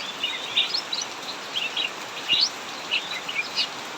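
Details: Brief burst of ngacor song from a cucak mini in an aviary while heavy rain falls: bright, high chirped phrases in small clusters over a broad rain hiss.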